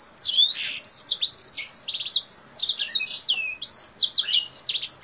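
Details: Kingthroat singing vigorously as it moves up and down and opens its wings, a song likened to a Blackthroat's: a nonstop, high, varied tumble of shrill whistles, dry buzzy trills and chirps.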